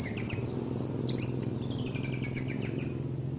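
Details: Kolibri wulung (Van Hasselt's sunbird) in a lure recording: high buzzy twitters, then sharp metallic notes that run into a long, even, very high sizzling trill, rapidly pulsed, lasting nearly two seconds.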